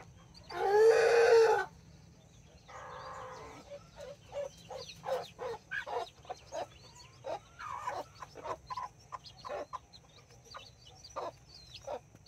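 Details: Mother hen with chicks in a Colombian backyard flock of two hens and nine chicks; a loud broad squawk opens, then a series of short clucks repeated about twice per second, with faint high chick peeps.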